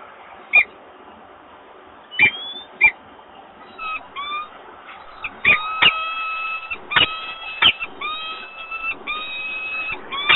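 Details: Peregrine falcon male at Włocławek, 28 February 2022, urging the female toward the nest while she declines; a few sharp chips give way to drawn-out, slightly rising whining wails in quick succession.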